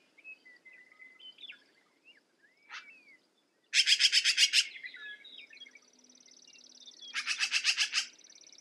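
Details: Black-billed magpie producing two bursts of fast, harsh chatter, preceded by soft whistled chirps and slurred notes from other birds, and followed by a thin, steady buzzing tone.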